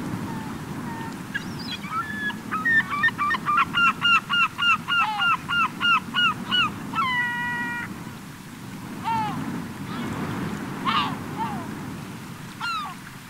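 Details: Gulls assembling on a Cotentin beach, 7 September 2024, end of summer: a rapid rhythmic series of about twenty yelping notes, then a long level wail and scattered calls, surf roaring throughout.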